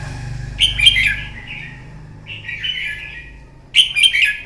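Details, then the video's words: Morning fighting song of a red-whiskered bulbul, used to train a bird: three short, chattering warbled phrases separated by pauses, over a low steady hum. "luyện giọng chào mào hót đấu buổi sáng"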